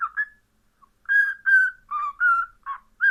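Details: Cockatiel giving a run of short whistled notes, about seven within three seconds, each steady or gently wavering in pitch with bright overtones, separated by brief gaps, with a longer silent pause early on; no other sounds.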